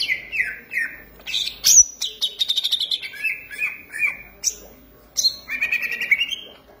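A green leafbird sings a fast, varied run of high whistles, sweeping slurs and rapid chattering trills, mostly very high in pitch.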